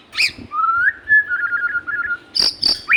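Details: Magpie-robin singing lively: a sharp opening note, then a long rising whistle leading into wavering, bubbling whistled ornaments, followed by loud buzzy clicks and a final upward slur.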